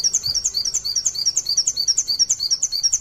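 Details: Pleci from Indonesia in 'nembak sejaluran panjang' style, a tutor song for other white-eyes: fast, evenly spaced, high-pitched chirped notes in a continuous stream, about three per second.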